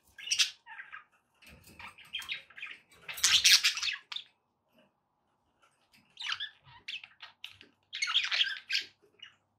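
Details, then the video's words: Captive budgies in noisy chatter: clustered raspy chirps, a loud harsh squawking burst, a pause, then more rapid scratchy warbling. "relaxing budgie sounds"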